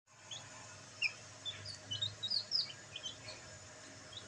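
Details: Black bantam chicks enjoying sunlight: a few short high chirps scattered through the middle, some rising, over a low steady hum.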